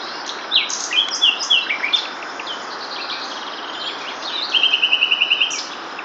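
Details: Common nightingale singing at close range, about 5 metres, on a branch by a riverbank in April during breeding season: rich varied phrases, quick slurred whistles, then a fast rattle of about ten identical notes, over soft hiss.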